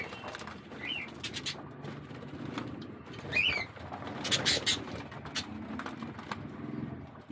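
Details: Amid a bath shared by several budgies, sharp rising chirps sound now and then over splashing water and bursts of flapping wings.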